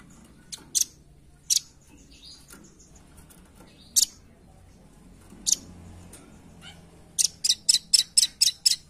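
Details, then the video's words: Scattered sharp, high chips from a velvet-fronted nuthatch used as a lure, spaced by quiet gaps, ending in a rapid series of about seven loud chit notes. "Suara Pikat! Pancingan Handal Burung Rambatan Paruh Merah Gacor"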